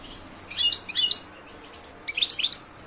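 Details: European goldfinch, Carduelis carduelis, singing: two bursts of bright, high, tinkling twitters and chirps in quick jumbled succession, separated by a second-long pause, in a quiet setting.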